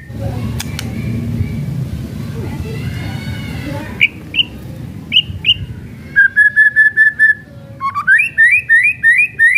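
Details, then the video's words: White-rumped shama in kretekan song, used to make other shamas answer: murmuring background, then clear high whistles, a row of eight evenly spaced steady notes, and a rising series of repeated upslurred whistles. "KRETEKAN MURAI BATU MEMANCING EMOSI PALING TOP"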